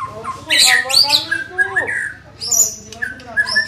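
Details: Young white-rumped shama in training, giving bright high whistled and chirped notes in short bursts, some sliding downward, with a lower harmonic voice-like sound mixed in.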